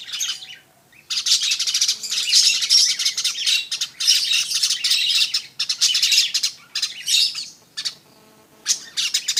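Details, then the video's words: A weaver delivers repeated bursts of scratchy, buzzy chattering, several seconds each, split by short pauses and ending with one brief phrase after a silence. "burung manyar"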